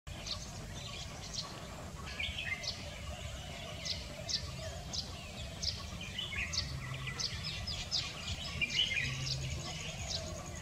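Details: Red-whiskered bulbul recorded on 26 February 2024, giving short bright chirping and whistled notes scattered through the recording over a steady low rumble of background noise.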